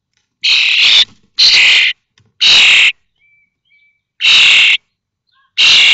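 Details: Common starling nestlings at Théding, 19 May 2024, on the day all five fledged from a connected nest box: five loud, broad, hissing rasps at uneven intervals, with a faint thin whistle between.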